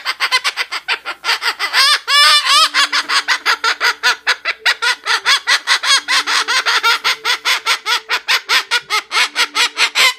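A Moluccan cockatoo cackles in loud, harsh, rapid bursts, about two or three per second, like manic laughter. A steady low hum sits underneath.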